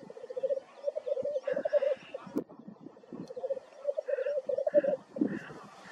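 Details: Black grouse in North Wales on 9 May 2024, bubbling in long, rapid, dove-like rolling phrases, mid-pitched and continuous, broken by harsh hissing sneezes.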